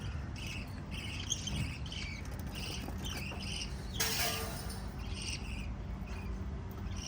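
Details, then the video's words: Lovebirds from a family of five chirping: quick, high, clipped notes in uneven bursts, broken by a brief loud rustling noise midway, over a low hum. "Five Little LOVE Birds Chirping Sound"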